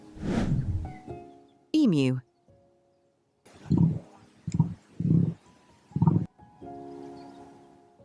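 Emu giving four deep, thudding booms, each about half a second apart, low and resonant; a narrator's voice and soft background music are also heard.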